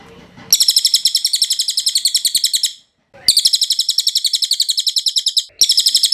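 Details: High-pitched cililin song used as clean training audio for songbirds: long, dense chattering trills of rapid repeated notes, each stretch lasting over two seconds, separated by short silences, with a faint low murmur at the start.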